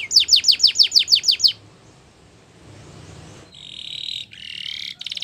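Belgian canary singing: a quick run of about nine bright, falling whistled notes, a pause, then a steady high whistle and a fast buzzy trill.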